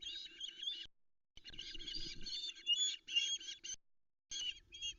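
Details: Nest-cam recording from Loch Arkaig, 13 July 2020: a female osprey begging for fish while chicks feed on a trout. Harsh, rapid high chirps run together in dense bursts with a faint low hum beneath.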